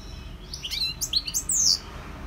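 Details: Short goldfinch phrase of bright, tinkling high twitters ending in a longer, clear downward-slurred whistle.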